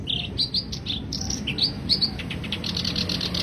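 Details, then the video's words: Black-browed reed warbler song: quick high chattering notes and short buzzy phrases, tumbling without pause over a low rumbling background hum. "Kicau kerak basi alis hitam"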